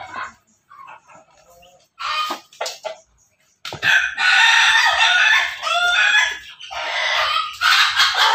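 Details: Pelung and Bangkok crossbreed chicken in a backyard: scattered short notes, then a long, loud, raspy laughing crow in several pulsing sections with brief dips between them.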